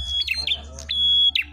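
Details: Red-headed prinia, known locally as prenjak klawu, fighting and singing hard. Two long, level, high whistles, each breaking into a short falling buzzy slur, with brief human speech between them.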